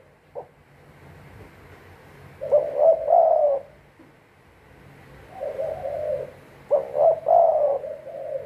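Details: Spotted dove kept as a decoy for trapping, delivering two spaced cooing phrases of stuttered short notes ending in a longer hoarse coo, with near silence in between.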